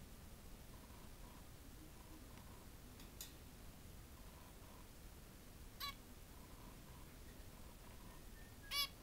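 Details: A captive zebra finch (Taeniopygia guttata) at its mirror reflection gives three short, nasal, trumpet-like beeps a few seconds apart over a faint steady hum and soft low tones.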